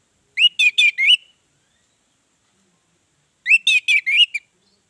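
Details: Lure song of an Orange-headed thrush meant to prompt other birds to sing: two short bursts of four quick warbled, slurred whistles each, separated by about two seconds of silence.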